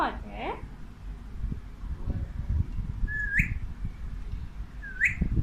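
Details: Pet male Alexandrine parakeet talking to a mirror in Urdu and Hindi. A harmonic rising call opens, then two short sharp upward chirps a couple of seconds apart over low indoor room noise.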